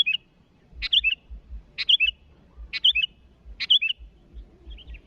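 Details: Sooty-headed bulbul calling rivals, with five bright bubbly whistled phrases coming about once a second, each opening with a rough note, over soft low thuds.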